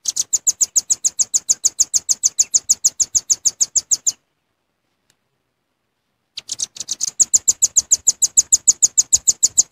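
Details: Genuine velvet-fronted nuthatch call used as a lure: rapid, evenly spaced, piercing high chips for four seconds, then a two-second silence, then the same quick chipping resumes and runs to the end.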